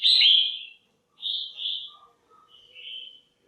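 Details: Caged female red-whiskered bulbul calling to stimulate males or for pairing: a loud slurred whistle, then two shorter warbled notes and a softer trailing phrase, separated by brief pauses.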